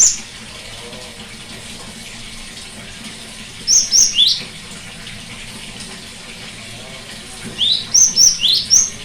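Cinereous tit giving two short bursts of high, thin, ringing notes, each a quick run of three or four repeated phrases, over a steady watery hiss.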